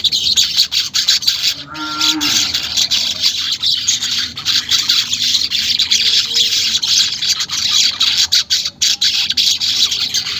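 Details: Weaver song played to encourage caged birds to sing, unedited: continuous dry, sizzling high chatter with scattered sharp chirps and a brief lower tonal note near the start.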